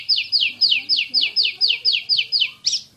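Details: Oriental magpie-robin, a champion kacer bird singing in rapid 'tembakan' shooting style: ten fast, evenly spaced descending sweeps repeated about every quarter second, ending in a sharper burst.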